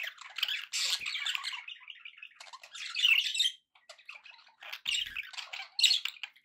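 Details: Happy budgerigars kept indoors as pets chattering busily, long runs of buzzy warbling interrupted by louder harsh squawks and a brief quiet gap.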